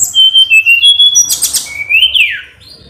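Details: Hill blue flycatcher song used to provoke a rival: clear sustained whistles at shifting pitches, a sudden buzzy rattle, then a rising whistle that bends down into a slurred descending note, over low hum.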